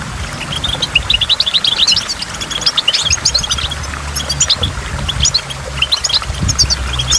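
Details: Goldfinch by a waterfall with falling drops, singing a sustained high twittering song of rapid chirps and trills, with a noticeable low rumbling background.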